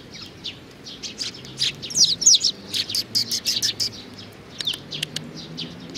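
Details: Juvenile sparrow calling with rapid, irregular high chirps that crowd together in the middle into a quick run, then thin out toward the end.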